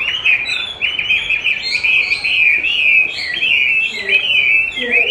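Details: Chinese hwamei trained by hearing its own recorded song, a bird keen to spar with its own voice; continuous loud, rich warbling of looping whistled phrases, rising and falling without pause.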